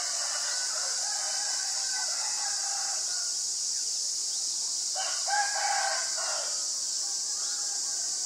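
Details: Common myna, Acridotheres tristis, filmed on March 20, 2022 in Ubon Ratchathani, Thailand, with a Nikon P1000. Scattered harsh chatter gives way to a louder, dense cluster of grating, gurgling notes midway, over a constant shrill insect hum.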